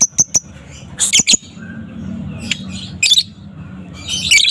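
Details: Young fighter lovebird (balibu) in the afternoon, chattering loudly in ngekek style as a lure to provoke other lovebirds into singing; harsh, shrill squeaky bursts in short clusters separated by pauses, over a low steady background hum.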